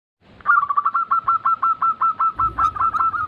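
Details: Zebra dove, presented as a lure recording to prompt reluctant doves to sing: a fast run of short, clipped cooing notes, each with a slight downward hook, repeated about three times per second with faint low background rumble.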